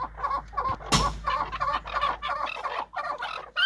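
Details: Big farmed chukar from Quetta, Balochistan, calling in a run of rapid, grating chuk-chuk phrases in uneven bursts, interrupted by a loud thump near the start and low background hum.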